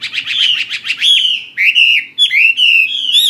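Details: A fighting hwamei pours out rich whistled song: a pulsing rapid stutter of notes leading into long, slurred, gently wavering phrases broken by short gaps.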